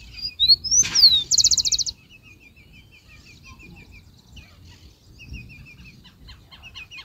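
Rufous-collared sparrow sings a short phrase of slurred whistles followed by a fast, high trill; faint repeated chips from other birds continue afterward.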